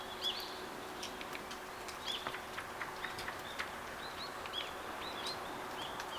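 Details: Daurian redstart calling: short thin whistled notes near the top of the range, given singly and spaced irregularly through the clip, with faint clicks between them over steady background hiss and a low hum.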